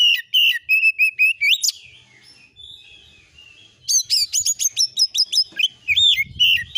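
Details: Oriental magpie-robin (kacer) song used as a lure to provoke agitated replies, delivering fill-in phrases (isian): two bursts of rapid, sharp, whistled and chirping notes, about two to three per second, split by a two-second quiet gap, with faint low rumbling near the end.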